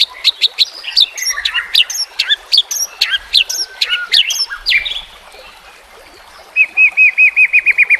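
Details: White-rumped shama (murai batu) song from a training recording for lazy, reluctant singers: rapid varied whistled and chattering phrases in quick bursts, a pause, then a fast even series of about ten sharp repeated notes.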